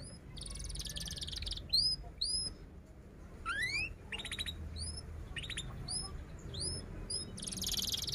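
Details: Singing canary, a lure recording for young birds learning to sing, delivering high, rising whistled notes in quick succession mixed with short rattling trills and one dense buzzy burst at the end, with steady low background noise.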